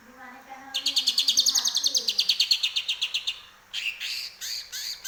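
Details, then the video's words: Home-kept greater green leafbird singing vigorously, its repertoire filled with grey-cheeked bulbul song: a low murmur gives way to a rapid, steady string of high sharp chirps, followed by several loud rasping, swooping notes. "Cucak ijo gacor"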